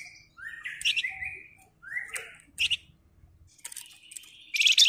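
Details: Sunda bush warbler singing actively, 'ngebren rapat' style: several slurred upward whistles with short buzzy notes, ending in a loud, harsh buzzy burst.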